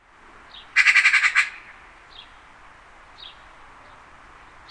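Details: Eurasian magpie, a bird that thrives near people in Central Europe, gives its chattering call: one harsh rattle of about seven rapid, grating notes in half a second, with faint high chirps of other birds behind.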